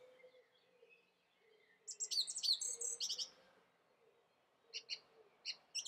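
A song thrush sings a loud, bright burst of clear whistled and chattering notes, then a run of short, repeated high notes. Faint steady background hum throughout.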